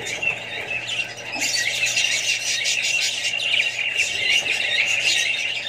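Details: Australian budgies sharing space with other birds and babies: constant high, scratchy chatter and squeals that grow fuller after the first second and continue densely to the end, over a low hum.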